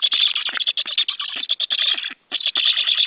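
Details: Loud, nearly continuous rasping chatter from a white stork nest filmed by live camera on a July 2013 morning; dense pulses run without pause except one brief break near the two-second mark.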